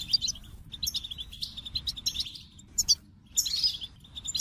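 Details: Goldfinch singing in broken phrases, clusters of high chirps and twangy tinkling notes separated by short silences, with a louder buzzy twitter burst near the end.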